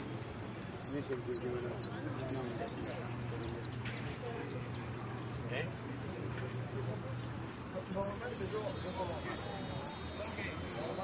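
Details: Jilguero singing at the Copa Federación competition, Blanco de Repique category: two bursts of rapid, piercing, high notes separated by a quiet gap, with people chatting in the background and a low hum.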